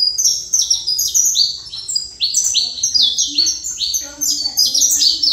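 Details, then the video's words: A saffron finch pours out a dense run of high, descending slurred notes, overlapping and tumbling one after another almost without pause, with a soft low hum in the background. "Canário da Terra"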